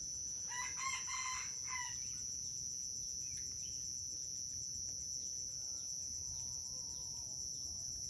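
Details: Red junglefowl crowing in a contest at Bukit Sibreh, Aceh, in the wild: one clear crow of just over a second, rich and harmonic, then quiet with faint distant calls under constant shrill insect noise.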